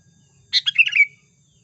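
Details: Sooty-headed bulbul lure song used for trapping birds: a single short bubbly phrase of quick chirpy notes, sliding down into a brief trailing whistle at the end. Quiet low hum in the background.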